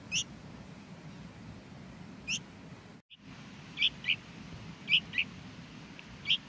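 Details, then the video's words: A hungry bulbul nestling, a small baby chick, in the nest, giving short, high, squeaky chirps, single or in quick pairs, at irregular intervals over a low background hum. "A hungry bulbul baby chick"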